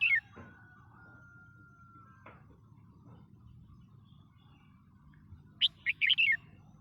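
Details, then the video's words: Red-whiskered bulbul: a long, flat, whistled tone held for about two seconds, a pause, then a fast burst of four or five bright, warbled notes near the end, over a low background hum. "chào mào trên bản hot"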